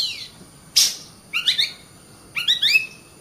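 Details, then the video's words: Oriental magpie-robin in vigorous song, a short downslurred whistle and a brief noisy burst, then two clusters of quick stacked rising chirps, evenly spaced about a second apart, against a quiet background. "suara burung Kacer gacor"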